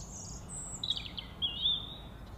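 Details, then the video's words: Birds chirping on a fine day: a thin high whistle, then bursts of short twittering chirps and a warbled trill, against constant low background hiss and hum. "Birds Chirping on a Beautiful day"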